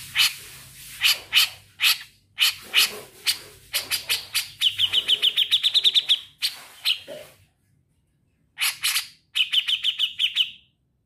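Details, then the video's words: Grey-cheeked bulbul in long chattering song: rough harsh notes repeated in groups, breaking into a rapid high trill of clean chips, a short silence, then harsh notes and another fast trill. "Cucak Jenggot Naga Gacor Ngetril"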